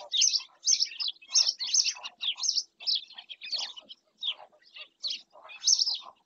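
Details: In Doñana National Park, Spain, a black-winged stilt calls in a steady run of sharp, scratchy yelps, about two to three a second, each note brief and harsh with a nasal undertone; the background is quiet.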